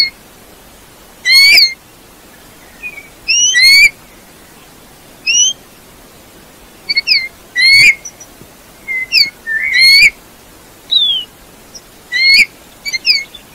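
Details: Bullfinch piping: a series of short, clear whistled notes, some bending up and some down, spaced irregularly every second or two over steady background hiss.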